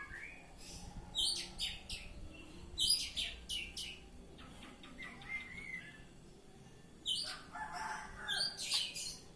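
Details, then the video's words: Oriental magpie-robin delivering ngeplong song, a loud full style: clusters of piercing high whistles and scratchy notes in several bursts, with a quieter pause midway before the phrases resume, faint low hum beneath. "Kacer Ngeplong"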